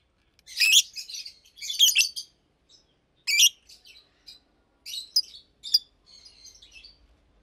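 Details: Daytime chirping from a pair of caged adult Fischer's lovebirds nearly two years old. Loud harsh squeaks come in separate bursts, then softer scattered twitters and a faint trailing chatter.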